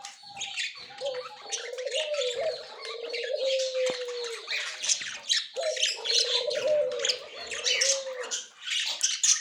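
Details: Pair of Australian budgerigars, a white male and a yellow-green female, recorded October 30, 2024, giving warbling chatter with a sustained rising-falling whistle underneath and scratchy squawks on top.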